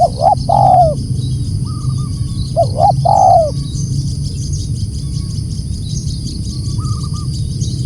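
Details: Loud calling spotted dove: a quick pair of short coos then a longer falling coo, repeated twice; softer, higher faint coo notes follow in the background, with constant low hum and thin high tones.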